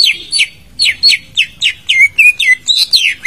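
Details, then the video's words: Greater green leafbird song used to coax a silent bird into answering: a short pause after opening notes, then a quick run of bright down-slurred and rising whistles in an uneven rhythm. "pancingan cucak ijo yang macet bunyi langsung nyaut"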